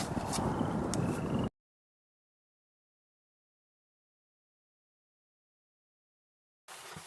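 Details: Mostly silence, broken only by short bursts of noise at the start and the end.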